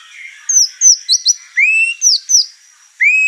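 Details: Over-excited white-rumped shama among other birds in a house; clear high whistles sliding downward, two quick paired notes, and a longer upward-curving whistle repeated near the end, over a faint background hiss.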